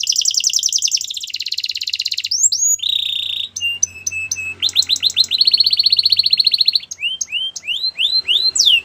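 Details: Canary singing for training purposes: a long varied song of fast high rolling trills, a dense buzzy stretch, clear flat whistled notes, and strings of rising swept whistles, delivered almost without pause.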